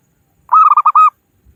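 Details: Zebra dove, local type, calling to rivals as a trapping lure: one short phrase of four or five rolling coos ending in a held arched note, with faint rustling afterwards.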